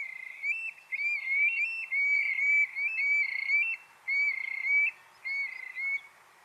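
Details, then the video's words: Eurasian Stone-curlew in Portugal, active at night and dusk, giving its most characteristic call: a series of loud, wailing whistles, each phrase about half a second to a second long, repeated in quick, uneven bursts. "Este é o chamamento mais característico do alcaravão."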